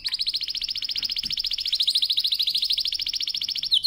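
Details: Canary singing a powerful training song: a fast, even trill of rapid repeated notes held for nearly four seconds, ending in a sharper flourish.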